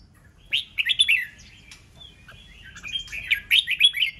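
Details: Red-whiskered bulbul song meant to spur rival birds into fighting and singing contests: a warbled phrase, a quiet gap, then a longer rising stream of liquid chattering notes.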